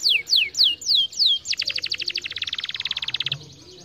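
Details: Canary singing to encourage lazy canaries: five loud downslurred whistles, then a rapid rattling trill that speeds into a dense buzzy roll before stopping.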